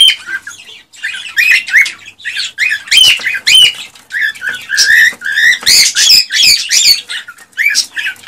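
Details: Male cockatiel in a frenzied courtship song to stimulate a female to mate and breed, a continuous fast chatter of rising whistles and squawks for eight seconds.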